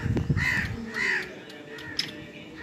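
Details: Kala teetar, the black francolin, in Pakistan: two loud, harsh notes about half a second apart, a softer third note after them, and some low thumps at the start.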